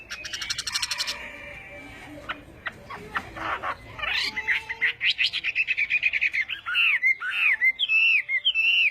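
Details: Chinese hwamei at morning singing practice, starting with a rapid buzzy rattle and scattered clicks over background hiss, then building into a steady run of repeated clear whistled notes and looping phrases toward the end.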